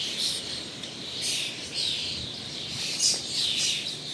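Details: A chorus of migratory common starlings (Sturnus vulgaris) singing in a clearing in a small ravine in spring, before summer, chattering and whistling from all sides, a dense wash of high squeaky notes and clicks with a few clearer whistles.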